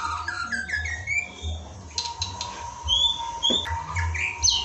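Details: Softer white-rumped shama song for bird training: short descending whistled notes, then sparse sliding whistles separated by pauses, with a steady hum and low-frequency rumble throughout.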